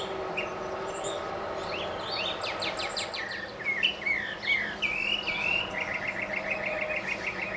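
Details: Male northern mockingbird singing from the top of a tall mesquite in central Arizona: a fast series of sharp downswept notes, then looping whistled slurs, ending in a rapid repeated trill of identical notes.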